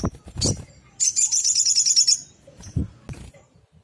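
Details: Sunbird in full song, used for training other songbirds: a quick chip, then a fast, even, high-pitched trill lasting about a second, then a few thin chips among low thumping noises.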